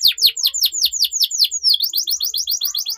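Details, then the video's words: Canary master song for juveniles: loud descending slurred notes repeated about four times a second, then a quicker series of short high chirps. "MASTERAN Burung KENARI Gacor Panjang || Suara Pancingan KENARI Paud Agar Cepat Gacor"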